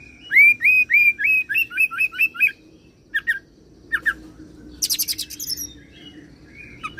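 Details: Oriental magpie-robin performing cililin and serindit (blue-crowned hanging parrot) imitations: a run of about ten rapid rising whistled notes, then scattered sharp chips and a high dense buzzy burst.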